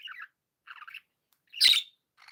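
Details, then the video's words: Pet budgies in a happy mood: soft scratchy warbling phrases separated by short pauses, then one loud, rasping chirp, with quieter chatter resuming at the end. "Happy budgies sound"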